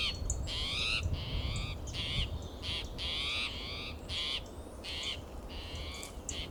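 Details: Territorial spotted towhee sounding alarm in Del Monte Forest, California, June morning, with a second towhee answering softly; about eight short raspy mewing calls in fast irregular sequence, plus faint thin notes and low rumble.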